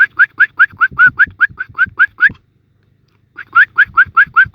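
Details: Newly hatched wild sparrows begging with open mouths while waiting to be fed: steady, insistent chirps repeated quickly, a second-long silence, then the chirping resumes at the same rapid pace.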